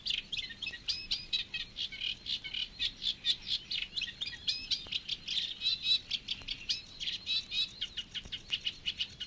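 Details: Reed Warbler singing in the reed beds of Matsalu, a steady, rhythmic chatter of scratchy, repeated high notes running without pause through the whole stretch.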